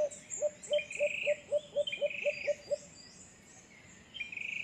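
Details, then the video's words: White-eared brown dove in San Pablo City, Laguna, Philippines, giving a run of about ten soft, low hooting notes, roughly four per second, while other birds chirp and whistle higher above. "White eared brown dove!"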